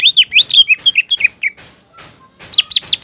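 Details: Actively singing green leafbird, meant to provoke a young spotted leafbird and make it agitated: a fast run of varied slurred whistles and chirps, a brief pause, then a loud renewed burst of swooping notes.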